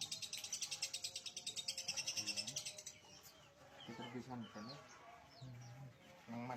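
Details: Lovebird delivering a fast, shrill, evenly pulsed trill for about three seconds, followed by people talking with scattered chirps.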